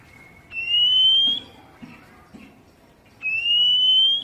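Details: Wild-caught Oriental magpie-robin stimulation audio: two sustained, upward-gliding whistled notes nearly a second each, with faint soft clicks and low murmurs in the pause between.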